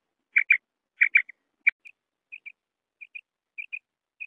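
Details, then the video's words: Common quail uttering loud doubled chirps that fade into softer, thinner paired notes repeated roughly every half second. "Bater ki awaz"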